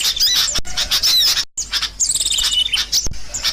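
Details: Sooty-headed bulbul lure recording, used for trapping birds, of noisy chattering: dense high, sharp chirps and twittering notes packed together, with a brief silent break midway through.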